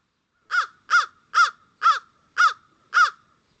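An American crow gives six harsh, hoarse caws in a steady series, about two per second, with nothing else heard.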